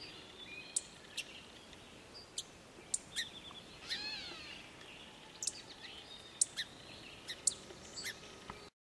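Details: A frantic song sparrow looking for a mouth to feed gives sharp, high chip notes spaced irregularly, one or two a second, over steady hiss, with a brief warbling phrase from another bird.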